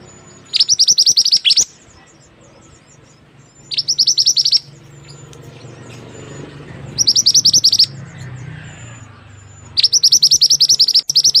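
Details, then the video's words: White-rumped shama from the mountains of West Sumatra, singing actively: bursts of rapid, high, chattering trilled notes about one second long, repeated roughly every three seconds, with soft background hum between phrases. "murai api/mantenan gunung gacor asli Sumatra barat"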